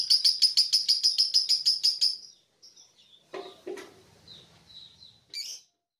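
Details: Pandora lovebird, caged, ending a ngekek burst: fast shrill chirps for two seconds, then scattered softer tweets, a couple of low knocks and one last sharp squeak.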